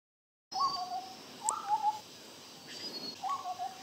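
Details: Large Scimitar-Babbler calling while standing still in Malaysia; mellow, hollow two-part whistled phrases, a higher note dropping to a lower one, given twice with a pause, plus faint high insect or bird tones.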